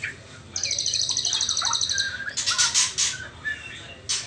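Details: White-rumped shama juvenile in the trotol stage, before reaching the pastol stage: a rapid, high, evenly pulsed trill for about two seconds over soft chirps, followed by loud clattering noise bursts.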